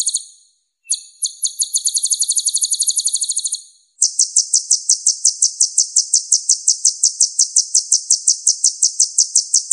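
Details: Kolibri ninja, the purple-throated sunbird, delivering a buzzy high trill for nearly three seconds, then after a short gap a long, even series of quick, sharp ticking notes.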